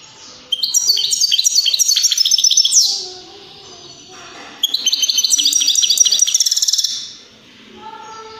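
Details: European greenfinch song played to stimulate other birds to sing and mate: two loud bursts of rapid, repeated metallic trills and twitters, about two seconds each, separated by a short pause.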